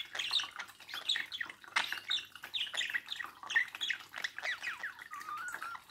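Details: Pet budgerigar facing its reflection, warbling busily with squeaky chirps, rising and falling whistled notes, and a short, level whistle near the end, over faint room hiss.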